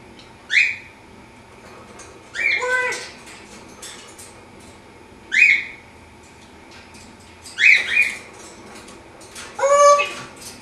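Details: African grey parrot kept as a pet, exercising with flips in its cage in the morning: sharp upward-sweeping whistles alternating with stacked speech-like phrases, roughly every two seconds, quiet indoor background.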